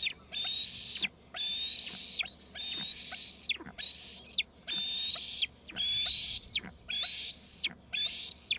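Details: A steady series of eight shrill eaglet screeps from two young eagles in Gregg's tree, each a level high whistle closing with a quick drop, spaced roughly a second apart.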